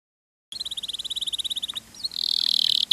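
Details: Canary, a caged songbird used as a training recording, sings a fast high trill of evenly repeated notes, then a buzzy sustained tone and a rapid rattling run.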